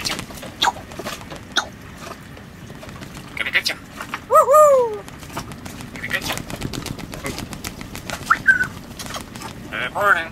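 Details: African grey parrot, a female living aboard a sailboat in the Caribbean, giving loud tonal whistles with harmonics that rise then fall around four and a half seconds, plus shorter whistles near eight and ten seconds, amid people talking.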